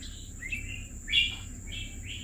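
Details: Red-whiskered bulbul kept as a pet for two years utters several clear, slurred whistled notes, one louder rising phrase in the middle, against a faint steady high whine.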